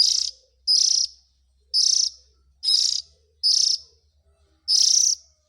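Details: Young oriental magpie-robin calls used to lure the parent birds, a steady series of six harsh buzzy rasps, each about a third of a second, repeated roughly every second against a faint low hum.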